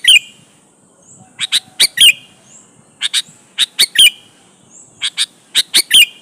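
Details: Sooty-headed bulbul challenging opponents, played to coax other bulbuls to sing back: repeated phrases of quick crisp notes that close in a clear downward-slurred whistle, the phrase returning roughly every second and a half.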